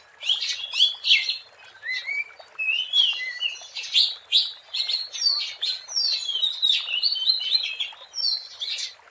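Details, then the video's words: Oriental magpie-robin (Copsychus saularis) in the wild singing a continuous, varied run of clear whistles, slurred notes and quick chirps, mostly high-pitched, with no other sounds standing out. "SUARA ASLI BURUNG KACER GACOR"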